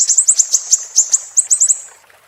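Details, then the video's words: Siri-siri, recorded as a training model for cage songbirds, gives a short run of piercing high chirps, about a dozen spaced notes with a sustained thin tone beneath, fading out after two seconds. "Masteran MB Super Pedas Level 10 II Burung Siri-Siri Bikin Lawan Melongo"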